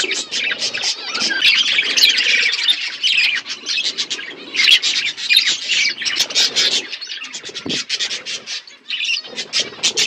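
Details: A budgerigar flock at its winter food in Asia; harsh squawks and rapid chattering bursts pulse in quick runs, some louder stretches, then short gaps of quieter twitter.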